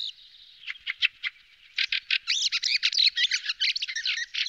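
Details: Fieldfare starting with a few spaced squeaky notes, then breaking into a fast, harsh, squealing chatter that continues to the end.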